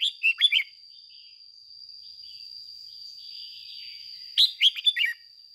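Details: Red-whiskered bulbul kept as a lure bird, singing in the ché style: two short bursts of bright, warbled notes at the start and end, separated by near silence, over a steady high-pitched whine.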